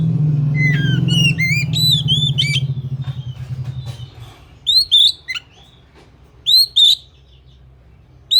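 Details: Oriental magpie-robin giving bright, slurred whistles and chirpy phrases, at first over a loud low rumbling hum that fades after four seconds, then in isolated two-note bursts against quieter background noise.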